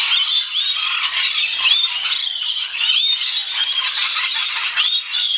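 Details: Rainbow lorikeets at feeding time chatter in a dense, continuous flock din of shrill screeches and rasping squeals, with short whistled notes rising and falling through it.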